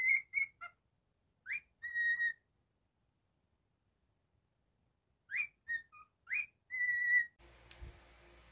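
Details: Captive cockatiel giving short phrases of pure whistles, rising slurs and flat held notes, separated by a long silent gap, ending in a burst of household noise.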